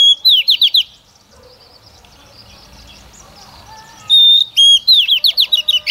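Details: Female Oriental magpie-robin used as a decoy to stimulate males to sing: a phrase of a clear whistled note, then fast upslurred chirps, a pause of near silence, and the same whistle-and-chirp phrase again.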